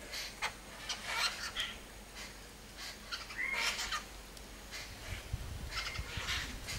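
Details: Birds chirping after long hours of rain, once the rain has stopped; scattered short bright chirps and whistled notes, a few rising, over a steady hiss of background noise.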